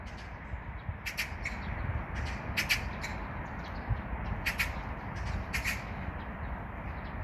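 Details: A single magpie gives harsh, rasping chatter notes in irregular bursts, about eight over seven seconds, over a steady low rumble of traffic or wind.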